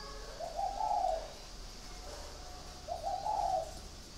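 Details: Spotted dove in a cage at a farm in Ba Vì, Hanoi, Vietnam, uttering two soft, low, purring coo phrases about two and a half seconds apart, faint hiss behind.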